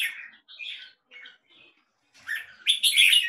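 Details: Red-whiskered bulbul, a kept bird, singing short warbled phrases that rise and fall, the early notes softer with gaps between them, ending in a louder burst of sweet, chattering notes.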